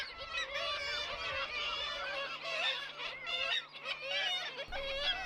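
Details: Black-legged kittiwake colony in Staithes Harbour, Yorkshire, in the morning: many overlapping nasal, wailing calls rising and falling without pause over a steady low engine-like hum. Adults appear to be courting and regurgitating food, and chicks have been predated or have fledged.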